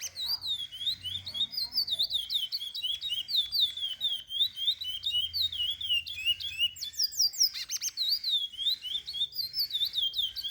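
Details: Tutor song of a chestnut-bellied seed finch meant for training chicks: a steady stream of bright, looping whistles, rapid and varied. There is a brief burst of denser notes midway and a soft low hum in the background.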